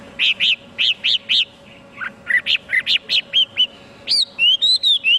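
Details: Chinese hwamei singing a series of loud, evenly spaced ringing notes in groups, about three per second, then shifting to higher clear whistles and quick upward-flicked notes; faint low hum in the background.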